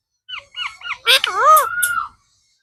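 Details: Blue parrot talking. A quick run of short rising-falling syllables leads into a longer wavering, warbling tone that drops to a steady note and fades.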